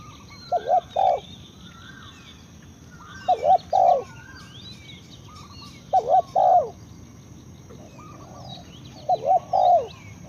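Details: Spotted dove calling: a low, hollow two-note coo followed by a short rolling phrase, repeated four times about every three seconds, with faint chirps from other birds high above.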